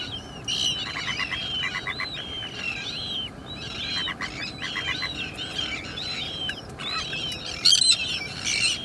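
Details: Breeding colony of Sandwich terns at the Salins d'Hyères in France as chicks near fledging; dense chorus of harsh, downward-arched calls overlapping each other, with short stuttering pulsed notes and a continuous low rumble beneath.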